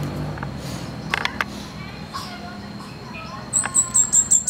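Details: In the wild, a fire-breasted flowerpecker closes with a quick burst of six high, sharp notes, after scattered clicks and soft background rustling.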